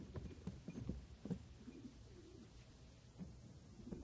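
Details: Cooing from Filo pigeons: deep, muffled coos repeated at an uneven pace, with light taps and shuffling around them.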